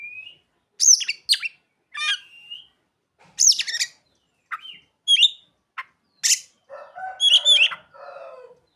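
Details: Oriental magpie-robin (kacer) delivering song with ciblek and sogon imitations, mixing high whistles, sharp chips and short trills; a lower harsh rasping passage near the end.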